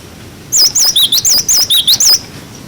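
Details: Cinereous tit song in a "wucit wucit" style, a clear-voiced tutor recording for young birds: a quick run of about nine high, wavy whistled notes, some pitched lower, delivered in roughly one and a half seconds, with no other sounds.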